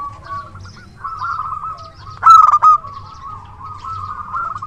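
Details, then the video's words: Zebra dove, local bird singing freely with a big voice, kept as a luring decoy: one loud, rough clipped coo in the middle, surrounded by steady soft rolling trills. "Perkutut lokal gacor suara besar PIKAT ANDALAN"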